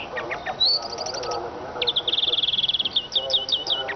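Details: Rapid twittering siskin song: a rising whistled note, a stuttering series of high notes, then a long even trill and clipped upslurred chirps.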